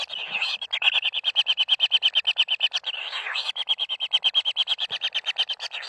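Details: Kingfisher nestlings calling while being fed at the nest, a rapid run of rasping, clicking pulses repeated about three times a second, high and grating, with a brief rougher burst near the middle.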